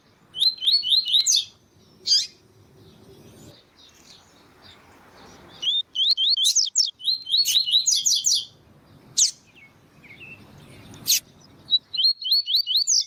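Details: A Double-collared Seedeater (Sporophila caerulescens), recorded to warm up captive birds, gives bursts of quick, high, repeated tui-tui notes mixed with sharp chips, with a female calling between the phrases.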